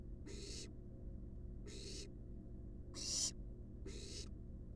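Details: Resting barn owl chicks, wild, in a research nest box: four breathy, snoring hisses about a second apart, the third loudest, with a low hum in the background.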